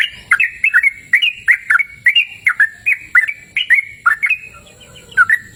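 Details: Yellow-vented bulbul singing outdoors in a cool open natural setting: a quick series of short, liquid, bubbly notes with downward and upward slurs, repeated about twice a second, then a brief pause before a final note.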